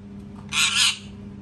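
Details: A parrot gives a single loud, harsh, broadband scream lasting about half a second, with a faint steady hum in the background.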